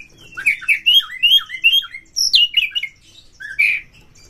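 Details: White-rumped shama, a kacer, singing a lure song to get other birds to sing and open their tails: a quick series of rich warbled whistles, a pause, then more slurred notes.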